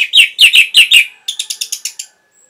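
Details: Caged orange-headed thrush in lively song, used to coax other birds into singing: five loud, rich descending whistled phrases, then a quicker series of seven thinner, higher chips fading out.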